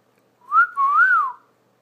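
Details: Young pet parrot, just past six months old, attempting to copy its owner's wolf whistle indoors; a short rising whistle, brief dip, then a longer smooth rise-and-fall whistle.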